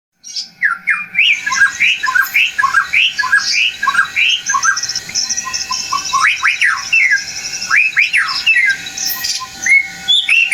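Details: Agitated white-rumped shama song used to provoke other birds to fight and sing, with natural sounds and a flowing river: rapid varied whistles and chattering phrases, loud and continuous, over steady water noise.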